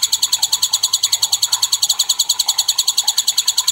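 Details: White-rumped shama song used as a lure to provoke other shamas into singing: a steady, very fast high trill of sharp repeated notes, about three per second, running without a break.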